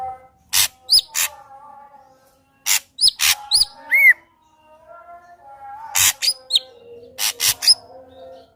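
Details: Ashy drongo song for luring a rival to sing: scattered harsh, scratchy bursts mixed with short high whistles and one rising-falling whistled note, over quieter lower tonal sounds.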